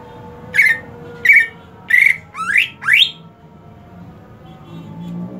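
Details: Greater green leafbird in hot-season care: three spaced harsh whistled notes, then two sharply rising slurred sweeps, then faint background hum.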